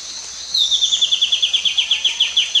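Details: White-bellied antbird recorded in Panama on 9/5/2019: a clear series of about seventeen sharp downslurred whistled notes, evenly paced and slightly descending, delivered rapidly over two seconds against a steady high insect hiss.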